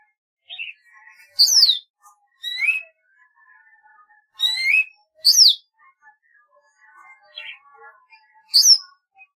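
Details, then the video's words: Golden-fronted leafbird delivering scattered sharp downslurred whistles and rising chirps, a few seconds apart, with faint twittering in between. "tiếng chim thanh tước | CHLORROPSIO AUKiFRONT"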